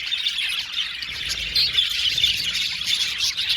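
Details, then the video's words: Budgerigar colony in an aviary: dense, continuous chattering and warbling from many birds, with squawky notes and bright high chirps that overlap without pause throughout. "Budgies singing and chirping sound"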